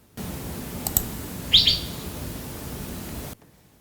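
A Greater Racket-tailed Drongo gives two quick, high, liquid whistled notes mimicking a fairy bluebird's call, after a couple of faint clicks, over steady background hiss.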